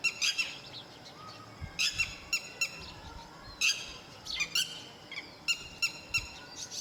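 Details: A lapwing, where male and female together protect their chicks near a quiet, safe nest site, calls loudly in sharp, strident notes, single and in quick pairs and triplets, repeated through the recording against a low background hiss.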